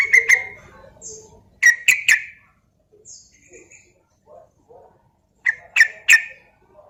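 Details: Javanese sooty-headed bulbul sounding as a lure for other bulbuls: clusters of two or three sharp, loud notes at intervals of a few seconds, with quiet gaps holding soft, faint chirps.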